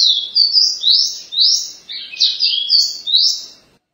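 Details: Caboclinho singing in the Paraense style: a run of clear, high whistled notes, each slurring up or down, about two per second with short gaps and no other sounds.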